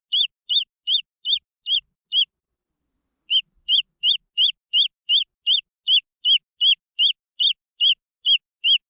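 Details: Peeping of green junglefowl chicks: a steady run of bright, high, falling notes, briefly interrupted by a pause of about a second, then resuming at roughly three notes per second.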